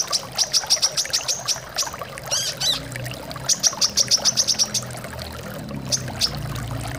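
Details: Quick high chirps in short bursts, with a squeaky twitter between them, from a brown-throated sunbird, heard over pouring water; meant to get birds singing.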